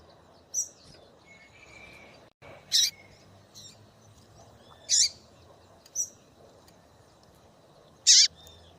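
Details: A calling female double-collared seedeater, used to excite a male into singing, repeats sharp high chips at irregular gaps of one to three seconds, with a faint brief whistle early on and soft background hiss.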